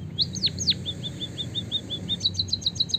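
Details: Javanese white-headed munia giving a canary-like song fill, used as a stimulant for other birds. Several sharp descending whistles lead into a run of soft, even, hooked notes. The song ends in a quick high chattering trill over a low background hum.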